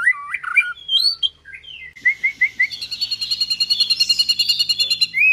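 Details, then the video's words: White-rumped shama in a tembakan and isian song. Twisting whistled phrases lead into a long, fast, rattling trill of rapidly repeated notes that builds toward the end. "Dahsyaaatt Tembakan & Isian Murai Batu // AmAzing Bird chirping like no tommorow"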